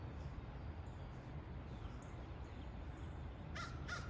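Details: Two harsh, hoarse caws about a third of a second apart from birds calling as more birds arrive to feed on leftovers of a squirrel carcass, over a steady low rumble of wind or distant traffic.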